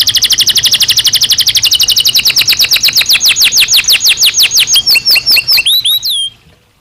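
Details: Belgian canary singing naturally, a long rapid trill of falling notes that gradually slows and lowers, ending in a few separate swooping whistles before silence.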